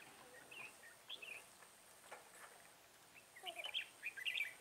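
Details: Red-whiskered bulbul recorded during trapping with a lure bird on 10 December 2017: scattered bright whistled and chirpy notes early on, then a livelier burst of warbled phrases near the end, over faint outdoor background noise.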